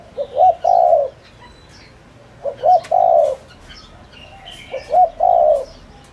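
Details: Spotted dove decoy cooing to provoke wild doves to answer: three phrases, each two short rising coos then a long, level, slightly falling coo, repeated about every two and a half seconds; faint chirps of other birds behind.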